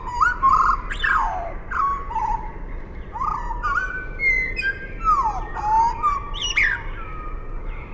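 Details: Common blackbird (Turdus merula), song.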